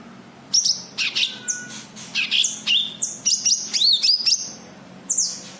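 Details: High, sharp chirps and looping whistled notes in close succession from a cucak kinoi white-eye used for luring other kinoi, with a quiet pause and one last chirp.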